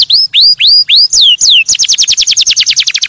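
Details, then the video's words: Canary singing to stimulate other birds: five loud rising whistled slurs, each about a third of a second, then a fast rolling trill of short downward notes. "Kanarienvogel singt um Vögel zu stimulieren"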